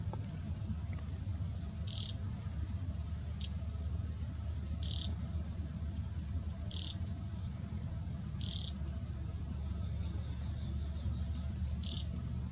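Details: Taiga flycatcher at Chandlai Lake, Shivdaspura, Rajasthan, India, on 7 November 2018, gives short, dry, high rattling calls every one to two seconds over a steady low rumble of wind or distant traffic.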